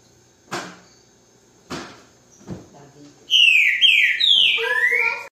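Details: Green-winged saltator (trinca-ferro) song: after three dull knocks, a loud, clear whistled phrase of slurred descending notes, then lower repeated whistled notes to finish.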